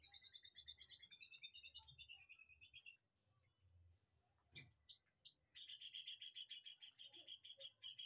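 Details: Caged White-rumped shama in a backyard aviary singing fluty whistled phrases, then a pause with a few clicks, followed by a loud, fast, rhythmic series of repeated notes; steady high hiss in the background.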